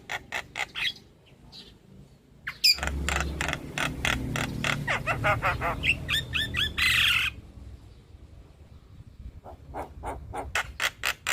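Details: Black-winged myna song played as a lure for stressed birds that have stopped singing: rapid harsh broadband squawks and clicks repeated in bursts, with a loud rasping chatter mid-clip and low rumbling in the background.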